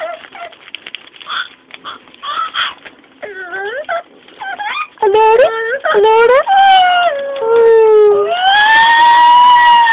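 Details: Female pet Amazon parrot copying household and street noises like sirens, dogs and monsters: scattered clicks and chatter, then descending whimpering whines that build into long, loud, steady wailing tones at the end.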